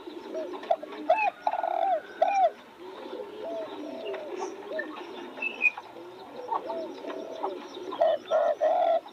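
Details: Spotted doves cooing near newly bloomed roses: soft hooting notes with gently rising and falling tone, loud bursts around one to two seconds and again near eight seconds, other doves cooing more quietly behind.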